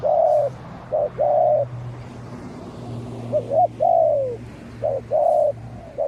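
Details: Spotted doves exchanging calls as a decoy, Malaysian-line ground bird, answers a fierce wild dove; paired coos, a brief note then a longer sustained one, and a long falling coo, with a constant low hum beneath.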